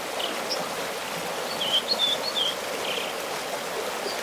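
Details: Wild American dipper singing on its rock near Bishop, California, northwest of town: a brief phrase of sharp, high whistled notes, three or four quick slurred chirps in a row, set against constant rushing stream noise.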